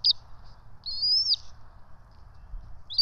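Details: Bald eagle twin chicks being fed at a nest on 12 March 2024, giving thin, high whistled chirps, a short note then a longer wavering squeal and brief peeps, over low steady rumble.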